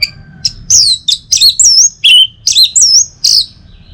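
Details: Orange-headed thrush singing in the morning in Singaraja, North Bali, to stimulate other birds: lively varied phrases of whistles, squeaky slurs and harsh chirps repeated in quick succession.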